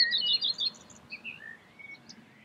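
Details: Common redstart of the nominate subspecies recorded at Escherange, France, in May 2016. A brief burst of high, rapid twittering notes fades into a few thin, sliding whistles.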